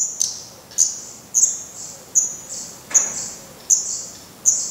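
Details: Black redstart nest in Portugal, fledglings with some down left on the head, already attempting flights but still fed by the parents: sharp high-pitched call notes repeated roughly every half second, evenly spaced, each fading quickly.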